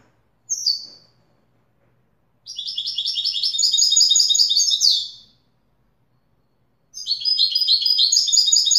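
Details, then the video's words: Wedani-style song of a European goldfinch, with a brief opening note, then a fast, bright, jangling phrase of about three seconds, silence, and a new twittering run starting. "تغريد ويداني أصيل"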